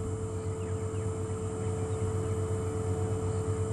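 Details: A steady low vehicle engine drone with a constant hum band, heard during an afternoon safari drive; no animal calls stand out.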